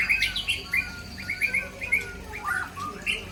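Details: White-rumped shama from Aceh giving part of its mimicry repertoire: crisp, separate whistled chirps, each a quick upward or downward slur, repeated in a lively, bouncy rhythm.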